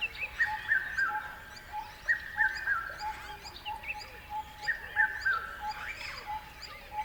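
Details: Descending three-note whistles repeated a few times, mixed with a steady low piping note and scattered chirps from several birds.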